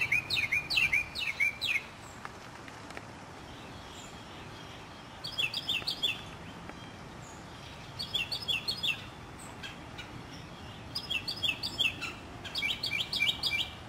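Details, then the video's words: Northern mockingbird singing in a South Carolina city neighbourhood in spring 2008: rapid bursts of repeated chattering notes, each burst about a second long, separated by pauses of several seconds. "Voices of Spring: Mockingbirds"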